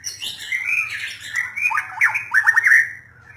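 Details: Continuous warbling of a white-rumped shama, smooth whistled notes running into a string of quick downward-slurred notes near the end, with a faint low hum underneath.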